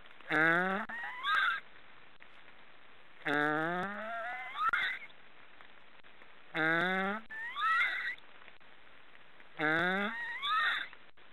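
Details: Snoring black storks give four loud, wheezy, harmonic calls about every three seconds. Each opens with a descending nasal note and ends in a short, upward-sliding squeal.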